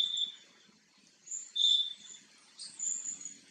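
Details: Green bee-eater filmed close up while preening, giving a couple of loud, clear trilled chirps among fainter high twittering from other birds in the background.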